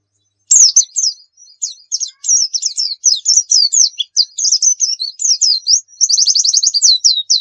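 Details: Training song of a white-eye (pleci), 'nembak' style: a long, varied stream of high twittering notes, some slurred and some sharp, ending in a fast trill of rapidly repeated short chirps.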